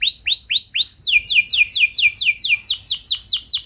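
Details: Canary song played as a lure to start other canaries singing: four slow looping whistled notes, then a fast, steady train of sharp downward-sweeping high notes repeated several times a second.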